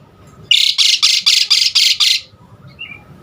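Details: Asian pied starling singing a varied filler-phrase song meant to set other starlings singing: seven harsh, broadband rasping bursts in quick succession, about four per second, followed by a faint short whistle.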